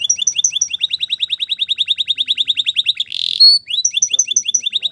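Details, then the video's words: Spanish Timbrado canary training song: a steady chain of quick high chirps, about eight per second, broken by a short buzzy burst and a clear whistle, then resumed. "The Best Canary Training Song"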